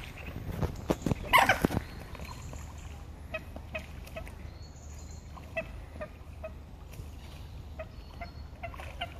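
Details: Two common moorhens in a serious fight on Heslington West lakes: a loud, harsh burst of scrappy calls and splashing near the start, then scattered faint clicks and soft notes over steady low background rumble.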